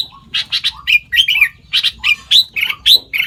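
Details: Sooty-headed bulbul mimicking the songs of more than five other bird species: a varied string of harsh, buzzy double notes mixed with short whistled slurs that swoop up and down, delivered in quick irregular bursts.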